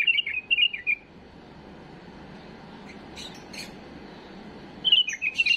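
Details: Tame bulbul delivering a flawless tutoring song for young birds: a rapid warbled phrase at the start, a quiet pause with soft high chirps, then another bubbling phrase at the end.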